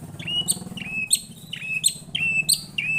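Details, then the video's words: White-rumped shama reacting to a lure recording, repeating a short phrase about every half second: a thin high note dropping into a clear steady whistle, over a low background hum. "Kicauannya gak ada remnya !!! Tonton sampai akhir video Murai Batu Gacor ini"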